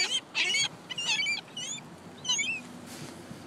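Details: Many gulls in a parking lot giving short, squealing mewing calls in separate bursts, each with a rising then falling tone, several birds overlapping over a low background hum.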